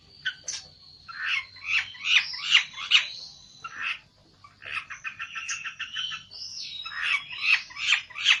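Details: Agitated olive-backed tailorbird seeking a rival: bursts of quick, high, rattling notes over a thin steady whistle, broken by a short pause midway, then a renewed rapid chatter.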